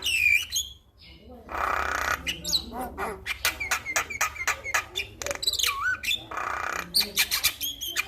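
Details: Male Javan myna, captured as a training song to make other mynas call: a jumble of harsh rasps, clicks and chips with a few swooping whistled slurs, fast and irregular.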